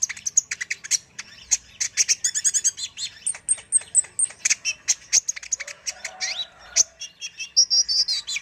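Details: Kolibri ninja sunbird in energetic full song for tutoring other birds: a dense run of shrill, high twitters, buzzy trilled bursts and thin descending whistles, with a brief lower warbled phrase midway.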